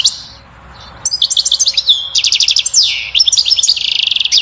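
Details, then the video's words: Batbata-style European goldfinch song, meant to rouse a female toward mating and nest building: a dense, rapid run of tinkling, high-pitched notes and fast trills with a descending buzzy slur, after a brief quiet start. "بتبتة الحسون أقوى تغريد لتحفيز و تهييج الأنثى على التزاوج وبناء العش"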